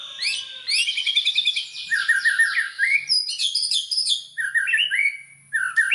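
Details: Lure song of a white-rumped shama meant to stir other shamas into full song, a fast stream of bright chattering trills and buzzy high notes mixed with slurred whistles, nearly continuous with brief pauses.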